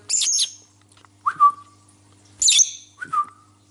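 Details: Pet cobalt lovebird indoors, vocalising with its owner: two harsh high squeaky chirps, each followed by a short lower whistled note, in a repeating chirp-then-whistle pattern about a second apart.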